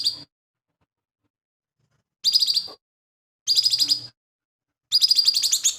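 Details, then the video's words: Lesser green leafbird with a mimicry-rich song for training other cage birds; after a silent gap, three high, pulsing, chattering bursts follow at roughly one-second intervals. "CUCAK IJO MINI GACOR"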